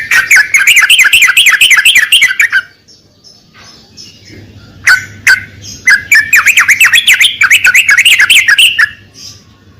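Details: Trucukan (sooty-headed bulbul) song used as a lure and therapy to get a silent trucukan singing again: two bursts of fast, chattering, bubbly notes with a short quiet gap between them.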